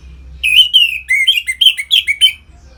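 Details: Orange-headed thrush 'ngeplong' song, played to bring captive birds into breeding condition: a fast, continuous series of about nine clear whistled notes, alternating slightly higher and lower, sweet and full-toned.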